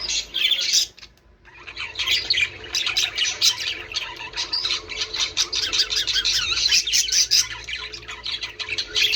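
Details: Budgerigars warbling for breeding stimulation: a loud chattering burst, a brief near-silence around one second, then steady, dense, scratchy twittering mixed with ticking notes to the end.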